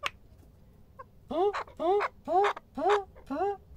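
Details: Chukar partridge in the evening, a few loud harsh rising notes repeated about twice per second, each note a grating upslurred chuck, with faint clicks before the series.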